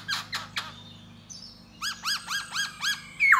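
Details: Khướu da bò laughingthrush courting a female with song and dance. A few sharp scratchy notes come first, then a pause and six evenly spaced arched whistles ending in a loud slur. A faint hum lies underneath.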